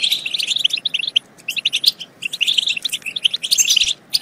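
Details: European goldfinch song used to prompt goldfinches to sing and breed: short bursts of bright, liquid twitters and chips in quick phrases separated by brief gaps.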